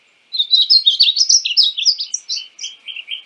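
Painted Bunting singing a quick, high, sweet warble of tumbling notes, about three seconds long, ending in lower buzzy phrases; no other sounds.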